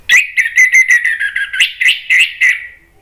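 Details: Orange-headed thrush song as a lure for answering birds: about a dozen quick whistled notes in a steady chattering stream, fading out at the end.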